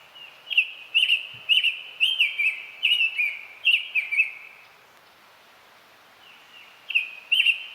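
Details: Summer Tanager singing, described as a solo whistle song reflecting its forest habitat: a robin-like run of slurred, whistled phrases, about two per second, then a pause before it starts again; faint background hiss.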